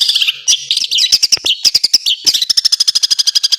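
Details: Long-tailed shrike song in a full fill-in style, used for training other birds: varied high chattering notes, then a quick even run of short sharp notes near the end.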